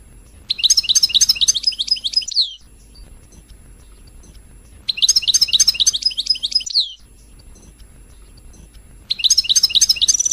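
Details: European goldfinch song used to stimulate other birds to sing: three bursts of fast tinkling, twittering notes about two seconds long, separated by pauses, with a faint steady high tone.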